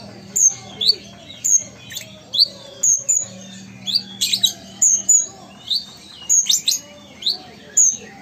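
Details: Ruby-cheeked sunbird from Sumatra, singing actively. High, thin chirps and short upslurred whistles come in quick separate bursts, roughly every half second. A low steady hum runs beneath them.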